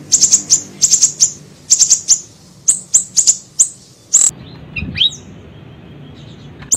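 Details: Small siri-siri bird song used as a lure and training recording: very high, thin chirps in tight bursts of three or four, repeated about once a second, then a sharp click and a few softer falling notes near the end.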